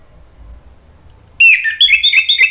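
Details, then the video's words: Orange-headed thrush song meant to stimulate quiet caged birds into singing: after a low background hum, a sudden loud burst of high, varied whistled and chattering notes tumbling quickly together. "PANCINGAN ANIS MERAH agar BUNYI NYAUT JADI GACOR NGEPLONG"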